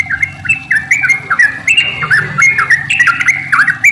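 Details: Sooty-headed bulbul with a long, rolling song used to lure other bulbuls into singing: loud, bubbly whistled phrases of quick rising and falling notes, delivered in rapid succession without pause, with faint background chirps.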